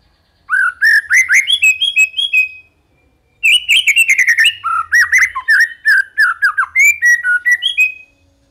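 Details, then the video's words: A white-rumped shama sings two loud, rich phrases of varied whistles, slurred notes and sharp chips, rising and falling quickly, separated by a brief pause. "MURAI LELET BUNYI SEKETIKA GACOR"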